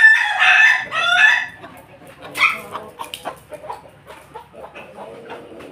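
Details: A rooster from a Pelung chicken crossbreed gives a brief, hoarse two-part crow, followed by scattered clucking.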